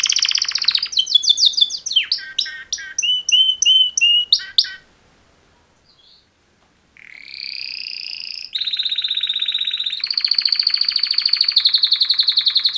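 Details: Pair of male canaries in mating-call song: swooping whistles and chirps, a pause of near silence, then sustained buzzy trills changing pitch in steps.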